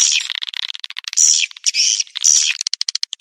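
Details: Swiftlet lure call used by swiftlet farmers to attract birds: high, buzzy chattering twitters in quick bursts, ending in a rapid series of sharp, evenly spaced clicks.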